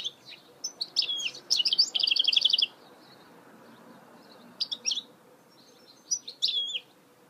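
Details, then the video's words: Hybrid goldfinch (mule) song: sharp high chirps lead into a rapid, even, buzzy trill lasting about a second. After a pause come further tinkling twitters and slurred whistled notes. "Chant mulet chardonneret تغريد هجين الحسون"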